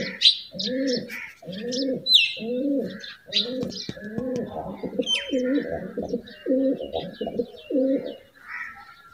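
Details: Courting white pigeons kept as house pets give a run of deep, rolling coos, nine in quick succession before falling silent, with sharp chirps and squeaky twitters from other small birds scattered over the top.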